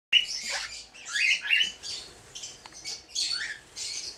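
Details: Red-winged parrot, a two-year-old breeding pair on their first brood with 20-day-old young. Harsh, raspy squawks rise in quick bursts, several in a row with short pauses, then a final longer scratchy burst.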